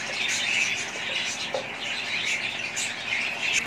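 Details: Budgerigars chattering together: a dense, continuous mass of high, warbling chirps and squawks, with no pauses and no other clear sounds.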